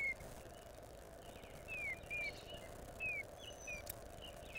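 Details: Female Eastern Bluebird singing in the early morning on April 14th, 2020, captured by a bird camera: faint, sliding downward whistles in short pairs with brief gaps, against a constant low hum.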